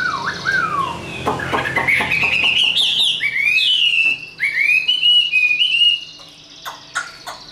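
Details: Fighting song of a tame, caged Chinese hwamei: opening falling whistles, a burst of rapid clicks and rising trills, then clear slurred whistled phrases that fade into quiet.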